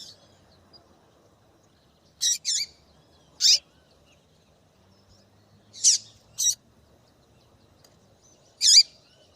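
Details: Female double-collared seedeater calling to prompt a male's song: clean, sharp chip notes, singly and in quick pairs, spread through about nine seconds over near silence.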